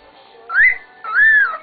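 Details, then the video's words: A male pet cockatiel wolf whistles, a clear two-note whistle: a quick rising note then a longer arched one, all within under two seconds. "wolf whistling"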